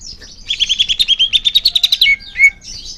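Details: Greater green leafbird singing, recording meant to make caged birds sing more: a fast buzzy trill of about fifteen notes swells in volume, then gives way to two falling whistled notes.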